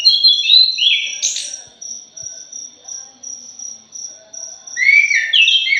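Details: Thrush, punglor jali, recorded as a lure to set other birds singing: loud bursts of twisting, slurred whistles at the start and the end, with a steady cricket-like insect pulsing about three times a second throughout.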